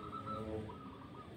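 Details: Wild zebra doves on an overcast morning in a tall mango tree, about 15 m high, near a village garden, with a large-voiced bird targeted for luring, give a few soft, mellow cooing notes in quick succession over a low rumbling background.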